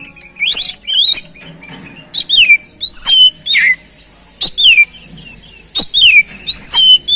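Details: Oriental magpie-robin song meant to stimulate another bird to sing: clear, loud whistles that slide steeply downward, repeated in short bursts about every half second to a second, over a quiet background.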